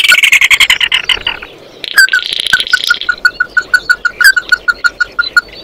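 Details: Oriental white-eye flock call beginning with a harsh, high buzzy series, then a steady rhythm of loud clipped ringing notes.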